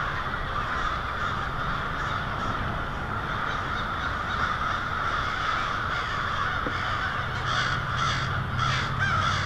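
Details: Hundreds, maybe thousands, of American crows gather to roost in the evening, Lansing, Michigan, 1 February 2016, cawing together: harsh overlapping calls blending into a steady, dense chorus with a low background rumble.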